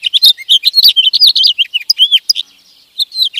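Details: Sparrow and goldfinch song, a lively jumble of quick chirps, slurred whistles and twittering trills. It breaks off into a short quiet gap before a few more twittered notes return.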